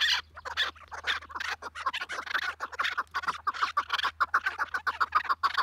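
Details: Chukar partridge in an excited calling bout: loud, scratchy clucking notes repeated quickly and irregularly, more than two per second, with a faint low hum underneath.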